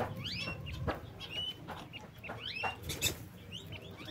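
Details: Lovebirds kept in an aviary give a series of sharp, rising chirps with bright overtones, several each second, over a low background hum and scattered clicks.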